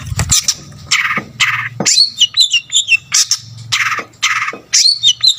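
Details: Long-tailed shrike in full, energetic song used to provoke rival shrikes; harsh scratchy bursts alternate with quick high warbled whistles, over a low background hum.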